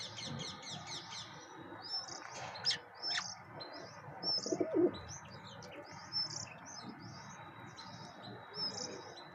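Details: Bank mynas (Acridotheres ginginianus) feeding alongside pigeons give a steady stream of short, high chirps and squeaky notes, about one every half second; low pigeon sounds and brief wing flaps join midway.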